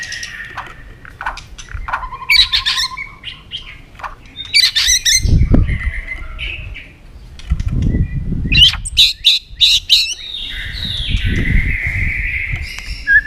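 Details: White-rumped shama in competitive singing: scattered whistles and sharp clicks, later a rapid series of loud notes and a long sliding whistle, with low thumps and fluttering between phrases.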